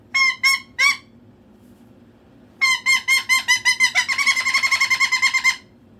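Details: Pet cockatoo indoors calling for attention: three harsh, harmonic squawks, a pause, then a fast run of about twenty clipped squawks, quickening and merging toward the end.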